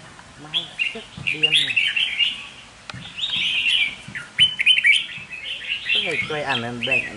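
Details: Caged lure red-whiskered bulbul pours out a dense, energetic stream of warbles and chirps. A man talks over parts of the song.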